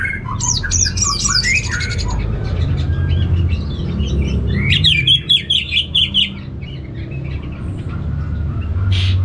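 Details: Captive orange-headed thrush (anis merah) in northern Bali singing in response to a played recording: a rapid, varied run of whistles, trills and sharp chirps that sweep up and down, over a steady low hum.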